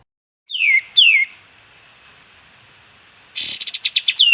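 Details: Sooty-headed bulbul (kapas tembak) in a tutor recording for training caged songbirds: two loud, clear whistles sliding steeply downward, a pause, then a burst of short, rapid, sharp notes ending in another falling whistle.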